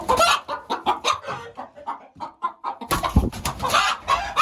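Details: Chickens and roosters clucking: rapid, rough clucks repeated several times a second, turning into a louder, denser, noisy burst of overlapping calls in the second half.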